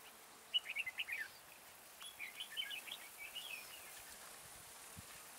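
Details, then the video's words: Red-whiskered bulbul decoy singing to attract wild birds toward a trap. It gives a rapid run of sharp chirps, then softer warbling phrases, faint against steady hiss. "Bẫy chào mào Mào boi 3 cao vút"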